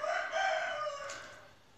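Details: Rooster on a farm crowing once: a loud, harmonic-rich call that holds steady, then slides down and fades out over under two seconds.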